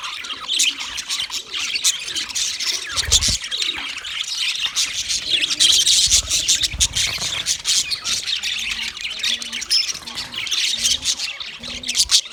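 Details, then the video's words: Mating chatter of white male budgerigars; a constant high, scratchy warble of many overlapping chirps, with soft low cooing notes repeating in the background during the second half. "White Males Budgies Chirping sound Parrots mating sound"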